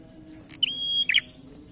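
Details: Prinia in loud challenging song: a single phrase opening with a sharp high click, then a steady, level whistle held for about half a second, ending in a quick cluster of buzzy, chattering notes.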